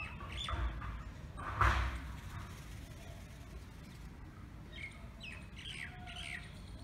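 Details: Indian peafowl (Pavo cristatus) gives one loud, harsh squawk, then a few thin, rising chirps from smaller birds over steady low wind rumble.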